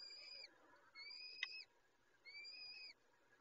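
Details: Peregrine falcons at the nest as a female feeds her chicks: three thin, high whistled calls, each about half a second long, heard over a steady background hiss with one sharp click between them.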